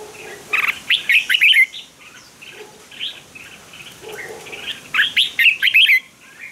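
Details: Red-whiskered bulbul training song of the fighting type: two energetic bursts of quick warbling whistles, tumbling up and down, separated by quieter chirps over a hissy background.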